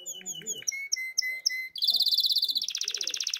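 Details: Canary singing in breeding condition and calling to the female: quick chirps and a steady high whistled note, then rapid buzzy rolls of fast repeated pulses that step higher partway through.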